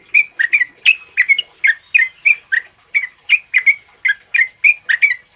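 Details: Sooty-headed bulbul singing the loud ropel uplik style used as master song for training other birds: quick, bright whistled notes, rising and falling, in a steady pulsing run of about three phrases per second.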